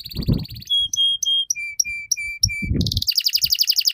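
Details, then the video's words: Canary song played as a master recording to help young birds start singing quickly: a buzzy trill, a series of clear flat whistles stepping down in pitch, then a fast high rattling trill, low rumble underneath. "PANCINGAN Burung KENARI Gacor Panjang || MASTERAN Kenari Paud Agar Cepat BUNYI"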